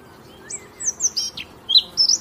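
A Eurasian blackcap sings a brisk run of high, varied warbled notes, some sliding up or down, over a quiet background.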